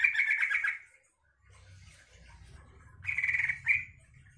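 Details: Yellow-vented bulbul song meant to provoke other bulbuls into answering and singing: a bubbly, chattering phrase of about a second, then a pause with low hum before two shorter warbled bursts.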